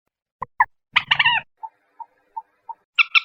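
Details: Common moorhen calling: short sharp notes, then a harsh grating burst, a row of soft evenly spaced clucks, and two final louder squawks.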